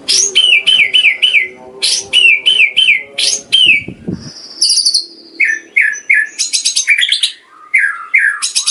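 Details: Varied white-rumped shama song meant to make caged birds sing more eagerly. Repeated wavering chirped phrases, a high level whistle, then a string of lower slurred notes and quick chattering bursts, loud and close throughout.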